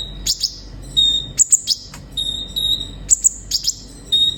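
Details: Sunbird song for stimulating captive birds: short level whistles alternate with paired sharp high chirps, the pattern repeating about every one and a half seconds over a faint hiss.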